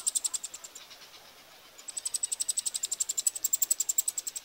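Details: Eurasian wryneck chicks fed by adults at Pribytki, Russia, on 2 July 2018, giving fast high sibilant begging pulses that fade, pause briefly, then resume louder and steady, about four per second.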